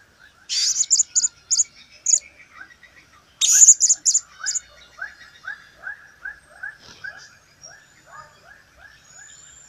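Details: Blue-crowned hanging parrot singing, recorded in 2015: bursts of shrill, high squeaky notes near the start and again around the middle, over a steady run of short, lower chirps repeated about twice a second.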